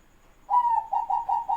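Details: Pet zebra dove lure responding to an opponent: a longer level coo followed by a run of four short, evenly spaced pulsing coos, low and mellow.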